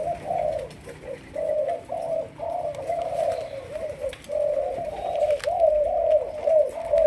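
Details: Malaysian spotted dove, a young bird in decoy training, giving a long run of low, mellow coos in rhythmic groups with brief breaks between them, steady and fairly loud over light room noise.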